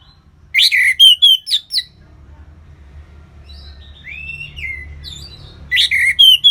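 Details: Orange-headed thrush singing relaxed ngeplong song. Bursts of loud, rapid, harsh notes bracket a long, soft, rising and falling whistled passage over a faint low hum.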